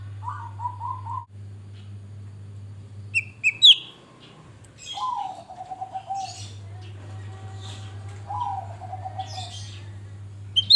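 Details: Energetic grey-bellied bulbul song used as a lure: short low whistles, a burst of sharp high chirps, and repeated low descending whistled phrases about every three to four seconds, with scattered faint high twitters and a steady hum.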